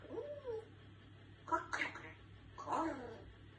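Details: A talking African grey parrot sneezes: two quick, sharp sneezy bursts between short warbled, speech-like vocal sounds, with a low steady hum in the background.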